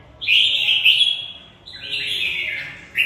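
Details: Red-whiskered bulbul, a Mộc bộ show bird kept caged, delivering a fighting song of long bright whistled notes that dip and rise, with a short sharp note at the end.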